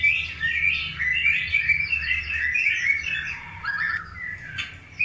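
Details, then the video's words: Loud, dense song of a long-tailed white-rumped shama during a breeding pairing, with tight bursts of bright chirps and whistles packed together and a few downward slurs toward the close. "PROSES PENJODOHAN MURAI BATU EKOR PANJANG"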